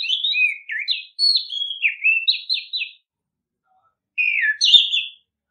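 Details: Lure recording of an orange-headed thrush singing to prompt other birds into song: about eight quick warbled and whistled phrases, each sliding down in pitch, then a pause and one more phrase.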